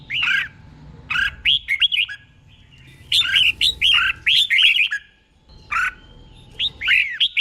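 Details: Tutor song of a caged red-whiskered bulbul from Thailand, used for training birds, in doubled paired phrases: clusters of short, sharply looping whistles repeated in bursts, with a soft low rumble behind.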